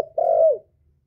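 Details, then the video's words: Male spotted dove decoy calling to attract wild doves; a single drawn-out, smooth coo held level then sliding down at the end, after a brief clipped note, with no other sounds. "Chim cu đất, cu gáy gọi, tiếng chim cu trống kéo bổi về tàng, tiéng cu gáy không tạp âm, cu mồi"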